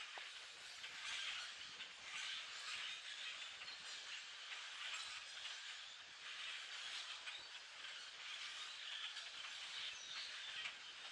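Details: Massed calls from a flock of hundreds of foraging common grackles form a long, dense hiss of high squeaks and creaks, pulsing gently in strength.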